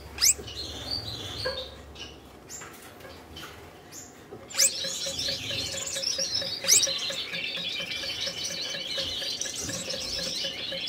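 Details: Captive red-headed Gouldian finches, a pair put together for breeding for their third season, courting. A few sharp high chirps give way to a continuous high, buzzy twittering. A steady soft ticking runs underneath, about twice a second.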